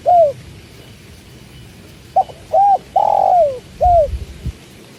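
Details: Spotted dove coos, known locally as tekukur, beside the sound of water: a short run of low, slightly falling notes, one longer sliding coo in the middle, over a soft rushing background.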